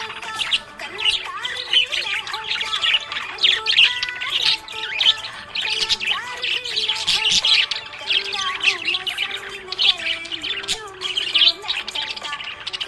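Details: Happy budgerigar chirping: a dense, continuous stream of high twittering chirps and short squawks, mostly fast and bright, over a steady background of music with sustained melodic tones.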